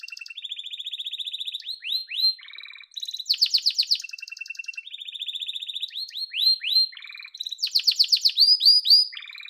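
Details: Yellow canary kept at home sings a long cycling song: steady rolling trills, rising whistled sweeps, low rattles and loud rapid chirping bursts, with the phrase pattern repeating twice.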